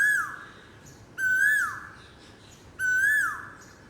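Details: Asian koel repeating a clear whistled note, three times in four seconds, each climbing slightly before falling off steeply; little else audible.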